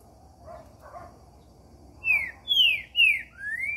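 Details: Green-winged saltator singing the song style known as "Cadê meu boi", recorded on Saturday 19 October 2019. After faint low notes come four loud, clear whistled notes. The first notes slur downward and the last one rises.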